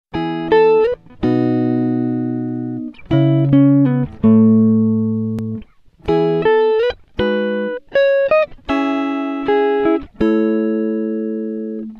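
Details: Plucked guitar music with ringing chords and single notes, and no animal sound.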